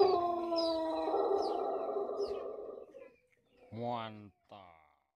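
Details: Pelung chicken, a champion bird, giving a long crow (kokok panjang, kebat) praised as special and luxurious: a sustained, harmonic, drawn-out note lasting about three seconds and slowly fading, then two short lower-pitched voiced sounds.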